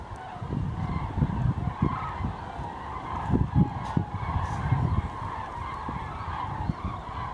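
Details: Over a thousand common cranes migrating south on 28 November 2012 near Javoulet, Berry, late afternoon between 16:30 and 17:00. The flock is splitting, half landing into the wind by the Cher's largest lake. Overlapping trumpeting calls are heard over heavy low wind rumble.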